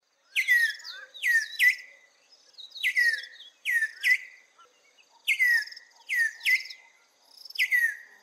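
An African Emerald Cuckoo gives bright, clear whistled phrases that slide downward, about eight short bursts in eight seconds, with nothing else heard.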